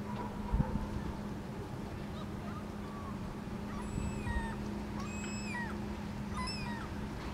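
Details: A common gull (Larus canus) standing by a puddle, where it also drinks and cleans its beak, in Helsinki, Finland, in July 2013, gives a few brief, nasal, downslurred mewing calls against a steady low rumble and hum.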